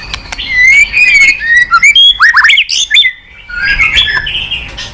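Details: Loud White-rumped shama lure song, a run of sweet whistles followed by sharp rapid slurred notes, then softer warbling at the end.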